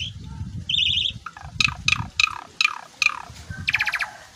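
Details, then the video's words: Asian pied starling, jalak suren, in gacor song full of isian while mompa: a buzzy trill, then repeated harsh descending rasps, ending in a rapid rattling burst, over a low rumbling background hum. "JALAK SUREN GACOR FULL ISIAN MOMPA"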